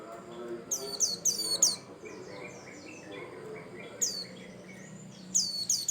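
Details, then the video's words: White-eye, Bustomi type, singing to prompt other birds: rapid series of four high falling whistles, softer chattering notes, then a single whistle and a closing trio, with faint low background noise. "Pancingan Burung pleci Bustomi Cal 1,2,3 Gacor"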